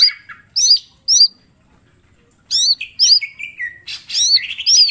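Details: Green leafbird, mini type, gives two crisp looping whistles, falls quiet, then resumes with a busy series of hooked whistles and sliding lower phrases.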